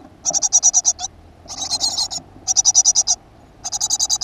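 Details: Great tit at a nest box in a school garden, 7 June 2015. Four dense bursts of fast, rattling, high-pitched pulses, each about half a second long, are separated by brief pauses.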